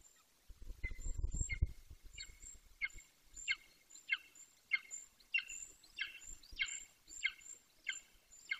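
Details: Juvenile male Golden Eagle, 18 weeks old, in Bucovina, calling near the nest he no longer visits: a steady series of about thirteen sharp, downward-sliding yelps roughly every 0.6 seconds, with a brief low rumble at the start.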